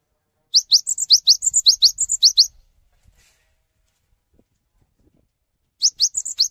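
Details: Cinereous tit in energetic song, prompting other tits to join in: a two-second volley of about ten high rising notes mixed with level whistles, then silence, then a shorter start of the same pattern.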